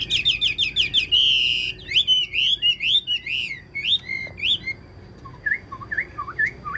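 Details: Caged Chinese hwamei with green-tinged plumage, praised as a strong singer, giving a loud, varied run of rich whistles: rapid repeated notes, a sustained buzzy trill, then slurred rising and falling phrases about one per second.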